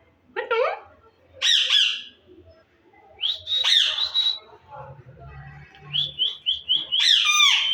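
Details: Caged green Indian ringneck parakeet, a talking parrot kept for breeding; sharp, scratchy squawks and screechy notes come in irregular bursts, ending with a quick run of short chirps and a loud harsh call.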